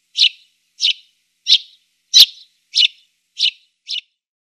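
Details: Eurasian tree sparrow repeating short, clipped chirps roughly every two-thirds of a second, seven notes in a clean, quiet setting with no other sounds.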